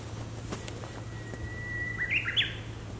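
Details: Japanese bush warbler singing on 4 April 2019 near a college in Maizuru, Japan, beside a preserved section of the Amarube railway bridge. A long, steady whistled note is followed by a quick, rising and falling flourish, with a low hum underneath.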